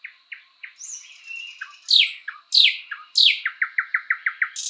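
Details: A thrush nightingale in a spring forest gives soft rising notes, three loud sweeping whip-like calls, then a fast regular string of about eight clicking chops.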